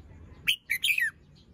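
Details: Caged young red-whiskered bulbul singing in the morning, its fluffy feathers not yet fully moulted: a short phrase of three bright, slurred whistled notes, the last one falling, over quiet background hiss.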